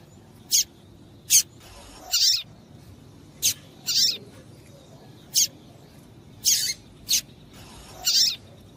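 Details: Double-collared seedeater female calls used to excite and warm up a male into singing; short high sharp notes, single and paired, repeated irregularly about every second, with brief noisy bursts between.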